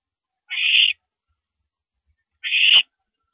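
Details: Owl at a mouse delivery on an April 2012 night at 9:17 PM, giving two rasping, noisy screeches of about half a second each, spaced two seconds apart, in an otherwise quiet setting.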